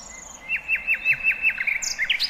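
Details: Wild bird singing in open nature: a run of about eight quick downslurred notes at an even pace, with a higher thin whistle at the start and sharp rising chips near the end.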